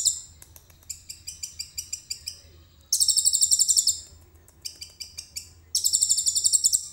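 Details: Common iora in full voice, its song filled with mimicked cililin phrases and recorded on a phone camera: bright, high buzzy chattering bursts alternating with sparse clicking notes, over a faint low hum.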